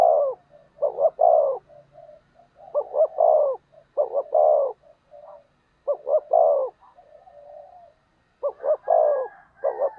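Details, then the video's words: Spotted dove decoy calling to challenge rivals: repeated deep mellow coo phrases, each two short notes and a longer slurred note, given about every two seconds with soft connecting murmurs. "Cu Gáy Mồi Thúc/ Kích Bổi"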